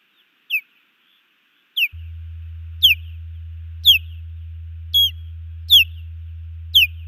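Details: Female osprey calling from a nest in Missoula, Montana, during a nest defence against an intruding osprey, June 2019; repeated piercing down-slurred whistles roughly once a second, a low steady hum joining after two seconds.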